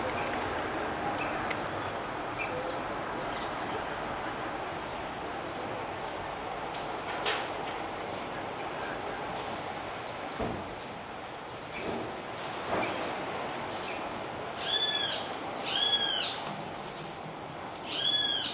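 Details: Great kiskadees give loud, harsh, arched alarm notes in quick bursts over background hiss while attacking an opossum climbing down a tree in Iriri, Anchieta, Espírito Santo, Brazil.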